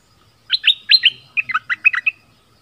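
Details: Southern Thai decoy bulbul (merbah lekir) sings a brief phrase: four clear chirps followed by a bubbling cluster of lower, downward-bending notes ending on a short trill.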